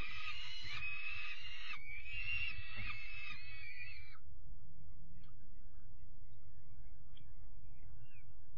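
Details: Peregrine falcon chicks being fed dinner on 5 May 2021 give loud, rasping, wavering cries for about four seconds, then go quiet, leaving only low rumble and a few faint ticks.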